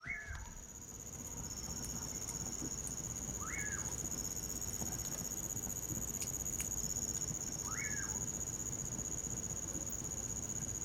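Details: Common pauraque singing in winter beside a campfire: a whistled note that sweeps up then drops, repeated about every four seconds, over a constant high, shrill trill of crickets and occasional fire crackles.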